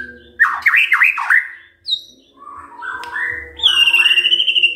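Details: White-rumped shama singing in the morning to provoke other birds: a burst of looping whistled notes, a brief high thin note, then mellow stepped whistles and a long high fluttering trill, with a low hum beneath.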